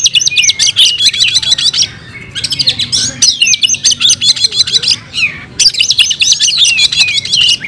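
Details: Oriental magpie-robin pouring out fighting song in three long bursts of fast, sharp chattering notes laced with slurred whistles, separated by brief pauses, loud and close.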